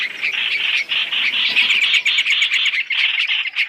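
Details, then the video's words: Chinese hwamei, from a three-in-one trapping lure: short, loud bursts of buzzy, grating notes in quick succession, separated by tiny gaps. "Tiếng chim hoành hoạch (trao trảo) mồi 3 trong 1 chuẩn để bẫy"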